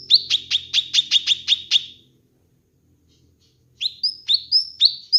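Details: Kinoi bird, recorded as a master track for training and luring birds. Eight rapid, piercing chirps, a silent gap of almost two seconds, then four upward-swept whistled notes.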